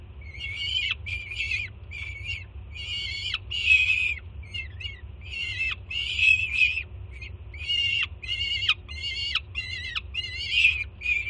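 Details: Peregrine falcon youngster at the Jersey City nest on 24 June 2017, loudly welcoming the mother with breakfast; dense series of raspy, buzzy screams, short and long, packed closely with brief gaps.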